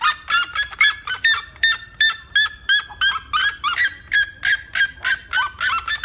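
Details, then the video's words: Red-legged seriema giving a loud run of ringing, harsh yelps, about three per second, some breaking upward and others sliding down, with faint low background noise. "O canto da Seriema"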